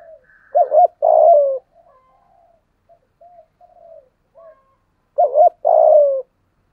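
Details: Lure spotted dove with a 'giọng thổ' style voice, heard twice giving a loud wavering two-part note and a long descending coo, with quiet murmured coos between the phrases.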